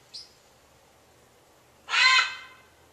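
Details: Morning kwaak calling from a neighbourhood bird, January 2014: a short, thin high note is followed after a pause by a single loud, raspy squawk of roughly half a second, rich in harmonics.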